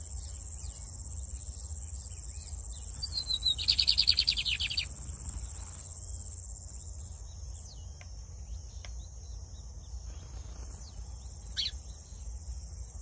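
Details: One song phrase from a brown-plumaged lined seedeater in Brazil: thin descending notes and a short buzzy trill, set against a persistent high whine and low rumbling background.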